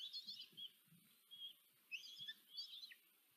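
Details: High, shrill squealing calls from common kestrel chicks as the female feeds her brood of four at a nest in Tiszanagyfalu, Hungary, 14 July 2023; several quick overlapping whines with faint rustling below.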